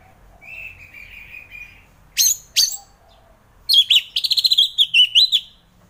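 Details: Orange-headed thrush singing, for morning therapy of thrushes reluctant to sing: a soft, quiet warble, two sharp notes, then a loud rapid burst of chattering, whistled phrases.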